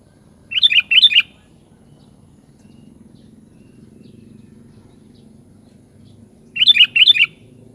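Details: Sooty-headed bulbul song: two phrases roughly six seconds apart, each a pair of quick bubbly whistled note clusters, with a faint low hum in between.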